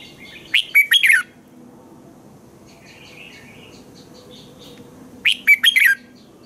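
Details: Morning song of a red-whiskered bulbul, meant for teaching other bulbuls to sing: two brisk phrases of rapid whistled notes about five seconds apart, with a faint, soft warbling in the gap.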